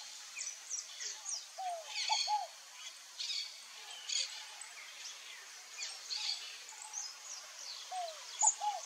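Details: A scaled dove (Columbina squammata) gives two soft, low three-note cooing phrases several seconds apart, over a busy backdrop of higher chirps and whistles from other birds.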